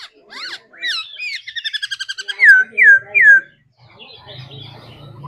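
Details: A trained singing laughingthrush gives a fast series of bright stacked chirps, then three loud drawn-out downslurred whistles, ending in low, soft rustling sounds.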